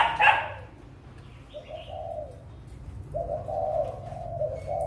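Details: Spotted dove in breeding condition, recorded 6 December 2021. A dog bark opens, then the dove gives a short coo and a longer run of hoarse, slightly falling coos to the end. A low hum runs underneath.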